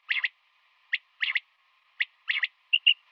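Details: A female common quail calls in the morning with sharp clicks, single or in quick pairs and triplets, closing on two short, bright, high pips.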